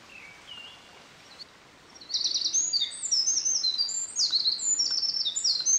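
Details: Eurasian Wren on 24 May 2013 by a mountain stream, singing right in front of the recorder as if competing after a distant Japanese Thrush began singing. Faint distant whistled phrases open, then a loud, rapid, very high cascade of trills runs to the end.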